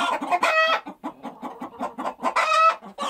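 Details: Several hens cluck in quick low pulses, with a loud harmonic squawk near the start and another near the end, steady busy farmyard chatter throughout.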